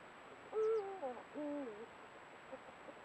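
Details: Eurasian eagle-owl pair at a golden sunset, captured by a trail camera: two harmonic, nasal calls, the first higher and wavering, the second lower and ending in a downward slur, over quiet background hiss.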